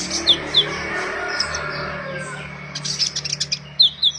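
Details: Sunbird song used to lure or provoke young birds: thin, high chirps in short runs at the start and end, with a steady background hum in between.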